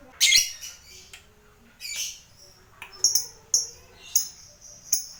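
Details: Lovebird fighter, used to spur other lovebirds to ngekek trill, uttering a harsh opening squawk followed by a string of short, sharp, high chirps at irregular intervals.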